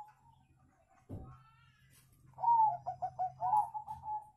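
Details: Wild zebra dove call used to lure birds into answering: after a faint thump and low hum, a soft, quick series of about six rolling cooing notes that fades into a drawn-out final coo.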